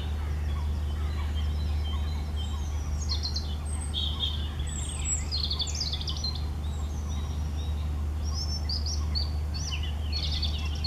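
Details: European robin in song, with high sweet warbled phrases of clustered notes and quick rising and falling trills, separated by brief gaps, over a continuous low-pitched mechanical hum.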